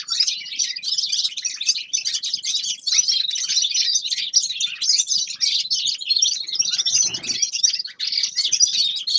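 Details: Grey-crowned goldfinch, a songbird, singing a dense, continuous high twittering warble of rapid chirps and trills, with a brief soft low thump near the seventh second.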